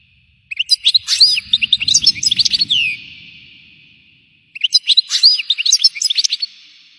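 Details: Goldfinch in bitbita song delivers rapid, tumbling twittered phrases of sliding chirps, two bursts about four seconds apart, with a soft low rustle underneath the first.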